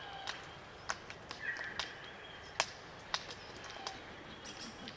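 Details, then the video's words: Small flock of Glossy Black Cockatoos (Calyptorhynchus lathami) feeding on Allocasuarina cones in Australian bush, Macleay River valley, NSW: sharp, irregular dry feeding clicks every half second or so, a faint short creaky call, soft distant chirps. "Glossy Black Cockatoo Sounds - Creaky calls & clicking sounds while feeding"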